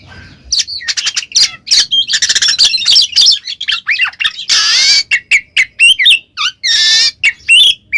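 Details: Kacer (Oriental magpie-robin) in full ngeplong song, played so a silent bird answers at once; a busy, loud torrent of whistles, trills and harsh buzzy calls with two long rasping bursts.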